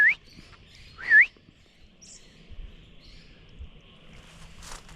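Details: A White-plumed Honeyeater in woodland at a travelling stock reserve near Barraba, NSW, with many dead trees, gives its big call: two loud, sharply rising whistled notes about a second apart, with softer chirps and a faint buzz behind.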